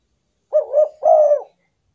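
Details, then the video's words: Single spotted dove phrase for luring wild doves: two short rising-falling coos run together, then after a brief break one longer, steady, slightly falling coo, clean and without background sound. "derkuku pikat paling ampuh"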